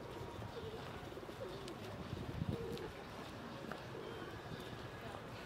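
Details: Feral pigeons (Columba livia domestica) at Breg, Ljubljana, on 23 January 2024, giving low, soft throaty coos in short rolling phrases over a steady rumble of city noise.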